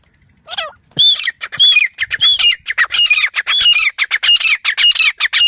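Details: Grey francolin fighting call, a loud shrill squawking series with clear high arched notes repeated almost twice a second, rapidly building into a dense, strident chatter.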